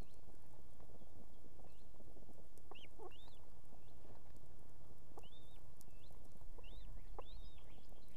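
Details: Evening calls of a female osprey on her nest with two chicks in Estonia, summoning the male with food: irregular arched whistled notes, some in quick runs, over continuous low-pitched noise.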